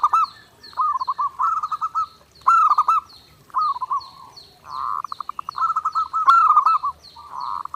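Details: Perkutut, the zebra dove, singing nonstop and clear as a training master: repeated bubbling coo phrases with quick stuttering trills, nearly continuous. A second bird's high chirps repeat regularly in the background.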